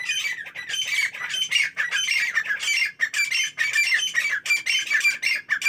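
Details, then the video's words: Dense, harsh squawking of partridges at morning, fast repeated grating notes nearly twice a second that overlap into a continuous chorus. "تیتروں کی صبح کی خوبصورت بولیاں"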